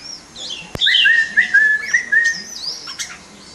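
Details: Red-whiskered bulbul, caged and in display: lively warbled phrase of clear, slurred whistles, some held steady and some sliding up or down, with several quick notes. Fainter high whistles sound behind it.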